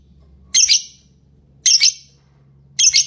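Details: Lovebird chirping: three harsh, buzzy, high-pitched squawks, each a short double-pulsed burst, repeated about once every second and a bit, with a quiet low hum between.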